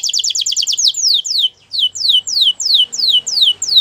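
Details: Canary beginning with a very rapid trill of paired notes, followed by slower, loud whistled notes that each slide steeply downward, repeated roughly every third of a second.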